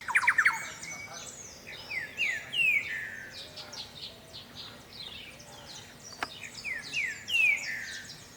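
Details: Thrush-like wren song in natural ambient surroundings: loud, rich phrases of slurred, descending whistles, repeated in bursts with short pauses, some higher overlapping notes, over a low steady background hum.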